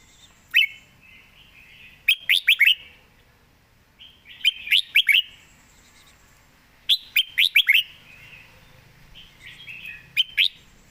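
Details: Perched Red-whiskered bulbul singing relaxedly with well-turned, rapid phrasing: short bursts of three to five bright, bubbling whistled notes repeat every two to three seconds, with soft warbling between bursts.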